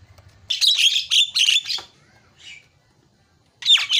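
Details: Javan myna chattering to prompt a silent bird to sing: four quick grating bursts in a row, a faint buzz, a pause, then another harsh rattling phrase.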